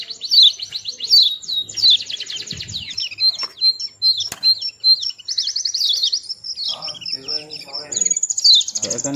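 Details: Small white-eye bird singing sweetly: rapid high twittering phrases of quick downslurred chirps, nearly continuous with brief gaps, plus a sharp click midway and faint low sounds in the background.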